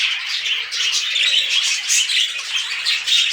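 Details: Mating budgerigars giving rapid scratchy warbling chatter mixed with bright chirps and harsh squawks, an unbroken stream of sound indoors.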